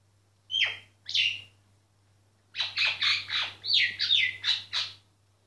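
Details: Myna song recorded without disturbing the bird: two separate falling squawks, a pause, then a fast run of about nine loud, harsh, descending notes in quick succession.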